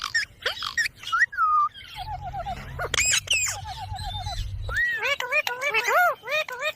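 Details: Caged ringneck (Alexander) parrot, a talking pet, giving a mix of warbled wavering whistles, squawks and speech-like phrases in rapid sequence, with a low hum in the middle.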